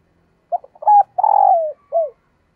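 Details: One phrase from a female dove luring males: quick stuttered notes lead into a sustained purring coo that falls in pitch, closed by a brief downward-slurred hoot; no background noise.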